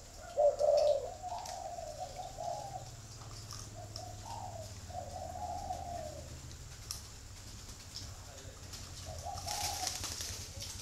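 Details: Spotted dove giving a loud pair of low coos at the start, followed by softer, drawn-out hooting notes that fade, with a brief hiss near the end.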